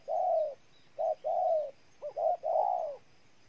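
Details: Spotted dove from Ninh Thuận, Vietnam, cooing: low, soft hooted notes in a broken phrase, one long coo, then a short and a long, then a quick double note and a final drawn-out coo, over faint background hiss.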